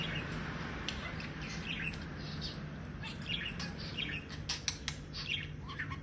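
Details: A budgerigar chatters in quick, scratchy warbled fragments, mimicking speech in different languages over a low background hum.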